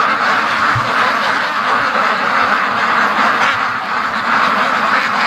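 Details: Many free-range domestic ducks on their daily rush to the lake, quacking together in a thick, constant chorus, with a few low thumps near the start.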